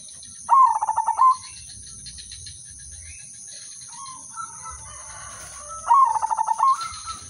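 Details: Zebra dove of the Udanmas Silver line, sung as a lure for other doves, gives two loud phrases of rapid pulsed coos about five seconds apart, with a quiet lower coo between and a constant high-pitched hum.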